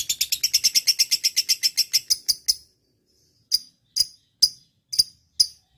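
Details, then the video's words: Lovebird described as 'auto nyaut', singing readily: a fast run of sharp, high chirps for about two and a half seconds, then five separate bright chirps spaced by short silences. "Love bird - auto nyaut"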